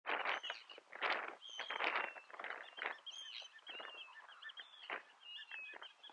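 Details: Eurasian whimbrel (Icelandic subspecies) in June, Snæfellsnes, Iceland, giving short, clear whistled notes near the same pitch, over harsh broadband bursts of wind or other birds.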